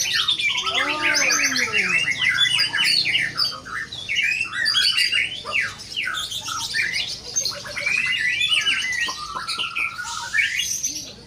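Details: White-rumped shama in a wild performance, pouring out a fast dense song of sharp chirps, whistles and squeaky notes, with looping falling whistles early on and a rattled series near the end.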